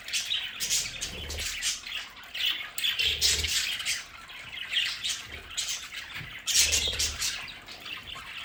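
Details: Pet budgerigars chattering at home in their play area, a dense run of scratchy, squawking chirps mostly high-pitched, several birds calling over one another with brief low thumps.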